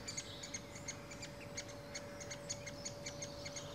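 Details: Great spotted woodpecker, adult and young: quieter series of short, hard, high chips, unevenly spaced at a few per second, with a steady electrical-sounding hum behind.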